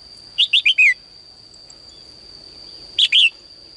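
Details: Female bird in a cage singing in the morning to urge males to sing: a four-note chirped phrase with a drawn-out falling last note, then a shorter three-note phrase two seconds later; thin steady high tone throughout.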